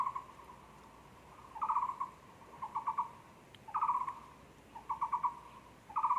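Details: Taiwan barbet at a zoo, recorded 24 February 2020: low, hollow, throbbing notes in quick bursts of three to five, the bursts coming about once a second over a steady faint hum.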